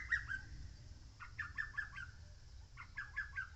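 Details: Lesser cuckoo singing on Mount Oike: three quick bursts of sharp, staccato whistled notes, each phrase tumbling slightly downward, separated by short pauses, over a steady low rumble of background noise.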